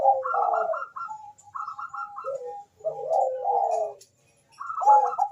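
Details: Two Bangkok zebra doves trading fast calls: overlapping stuttered notes and purring coos with gliding lower tones, a short quiet gap, then another quick burst of repeated notes.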